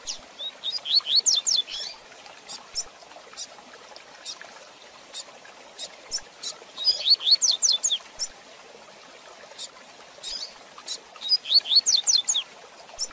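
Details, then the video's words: For young birds to learn from, a double-collared seedeater sings fast Tui Tui Zel Zel phrases. Three dense bursts of steeply swept high whistles recur roughly every five seconds, with dry clicking notes in the gaps. "Tui Tui Zel Zel de Fibra Canato Rápido Para Treinamento e Encarte - Coleiro Professor Aprendizado"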